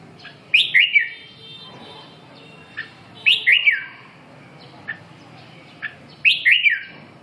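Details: Red-whiskered bulbul repeating a lively warbled phrase about every three seconds. Each phrase has two or three quick slurred whistles that rise, then dip. Short single chirps fall between phrases over a low background hum.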